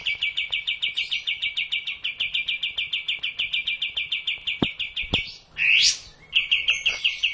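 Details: Kapas tembak bulbul in a master recording for cage-bird training: a steady, fast series of clipped, high repeated notes, broken by a rising sweeping whistle before the note series resumes. Sharp clicks are heard in the background.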